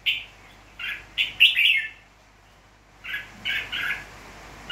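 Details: Tamed wild-caught red-whiskered bulbul from Nghệ An, Vietnam, 29 April 2024, singing clear mellow notes in two clusters of quick, rich whistled phrases separated by a pause of about a second.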